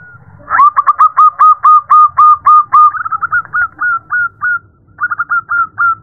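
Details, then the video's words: Female zebra dove calling the male: a rapid series of about a dozen loud, clipped coos, roughly four per second. A softer, quicker trill of notes follows, then after a short pause another run of coos. "Suara perkutut betina memanggil jantan"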